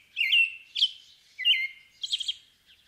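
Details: Loud American robin caroling, a string of four bright slurred whistles with a buzzy high flourish as the final phrase.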